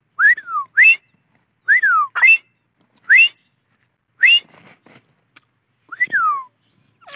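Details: Dakhni teetar, the grey francolin, giving shrill whistled calls: short rising-then-falling notes in pairs, repeated about once a second with brief pauses, in otherwise quiet surroundings.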